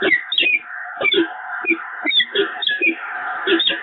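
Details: A bonding peregrine falcon pair at the Evoluon nest, 7 March 2022. Hoarse, wailing notes come about every half second, blurred together, with a continuous background hum.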